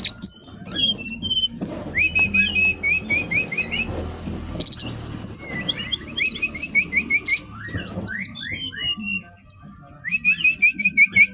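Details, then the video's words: Bali-origin brown-chested jungle flycatcher in a cage at a bird kiosk, singing nonstop: repeated series of quick, hooked whistles interspersed with high, sharp chips and short trills. "Burung SRDC ori Bali gacor dor"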